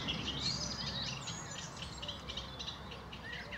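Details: A Sedge Warbler on a hot 19 May 2018 walk near Laindon, Essex, delivers a fast, scratchy, chattering song of varied high notes and thin whistles, over a low rumble of wind and footsteps.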